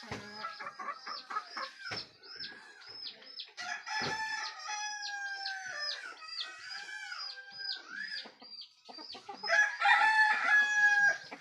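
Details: Chickens heard at daybreak, with crowing taken as a sign that morning is coming: several overlapping drawn-out crows and clucks layered together, harmonic calls rising and falling, busiest toward the end.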